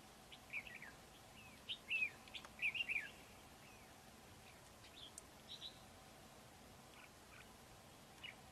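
Red-whiskered bulbul giving short, bright, warbled phrases in quick bursts during the first three seconds, then fainter scattered notes over a steady outdoor hiss.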